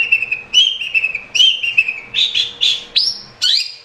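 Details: Long-tailed shrike (cendet) singing continuously in 'gacor' fashion, a recording meant to spur a caged bird that is slow to sing. Steady whistled notes come first, then louder warbled phrases and quick upward sweeps.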